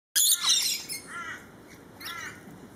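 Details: Lorikeets during a feeding frenzy: a loud, harsh screeching burst opens, followed by quieter raspy, downslurred squawks from several birds.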